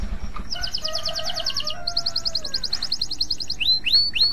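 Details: Canary, a male in breeding condition, delivers two long, even, rattling trills of rapid high notes, each lasting over a second, followed by a few loud downward-curving whistles. Soft, steady tones sound underneath.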